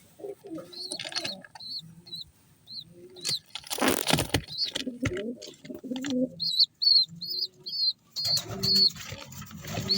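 Young pigeon chicks give thin, high, squeaky peeps in quick bursts of two to five, with soft low murmurs and a brief rustle or flap in between.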